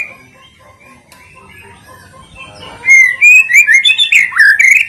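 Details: White-rumped shama song meant as a lure for other birds: quiet low murmuring at first, then loud clear whistles sliding up and down in quick succession.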